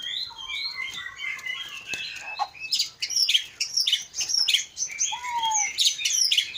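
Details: White-rumped shama of the Aceh Leuser type, a caged contest and breeding bird in Aceh, Indonesia: varied song mixing fluted whistles, buzzy notes and fast sharp chips, with one falling low whistle near the end.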